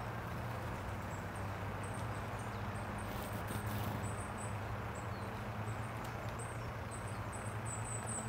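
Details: A Goldcrest calls in Tivoli landscape park, Ljubljana, on 23 November 2022: very high, thin, short 'see' notes, singly and in quick little runs, over a steady low rumble of distant traffic.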